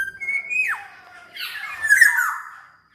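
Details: Black-naped oriole singing, a clear level whistle sliding sharply downward, then a harsh rasping phrase; a lure recording meant to make other kepodang orioles join in.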